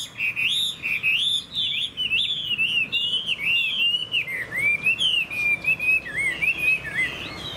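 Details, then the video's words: Caged Chinese hwamei, a hand-tame bird kept for song, singing under a dark overcast sky: loud, rich whistled phrases that rise and fall in quick, wavering loops, with short pauses between the runs. "Họa mi dáng ngũ trường, đấu xòe, hót tốt"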